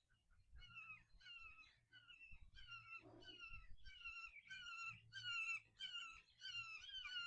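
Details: Young red-shouldered hawks around a farm in spring give a rapid series of clear, slightly downslurred kee-ah notes, about two a second, growing louder, over low rumbling wind and handling noise.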